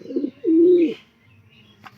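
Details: Domestic pigeons in a loft, calling loudly for food at morning feeding time, give a low, soft coo with a brief muffled note before it.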